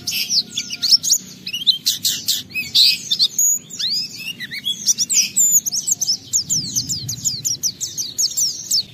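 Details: Oriental white-eye in full 'gacor' song, 'bongkar isian' style, used as a lure to make other white-eyes sing: dense, rapid, high twittering with sharp rising and falling whistled notes, almost continuous, over a faint low hum.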